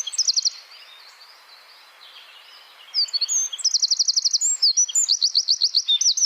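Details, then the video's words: Wren delivering tight machine-gun-like 'tembakan' song, meant for training songbirds: a short high trill, a pause, then long rapid series of sharp notes repeated in close bursts. "Masteran Burung Suara Tembakan Wren Bird Suara Bren Tembakan Rapat Burung Kecil"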